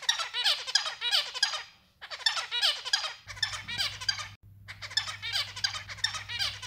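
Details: A white zebra finch sings bursts of nasal, buzzy notes and rapid chattering phrases.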